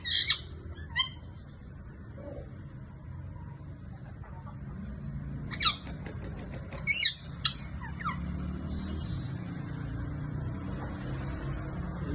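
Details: A male green rose-ringed (ringneck) parakeet talking gives a few sharp, harsh squawks and chattering talk-like bursts at the start and around six to eight seconds, over a low indoor hum.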